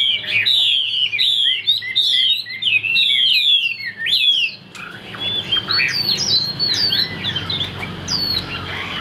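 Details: Captive male Chinese hwamei singing strongly with high-pitched phrases; rapid run of loud whistled, sharply swooping notes, repeated many times and then continuing more softly over background hum.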